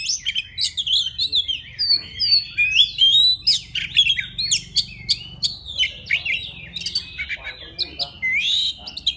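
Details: White-rumped shama of the forest sings a courtship call to a female, sweet looping whistles and rising slurs interwoven with rapid chatter, steady and energetic throughout.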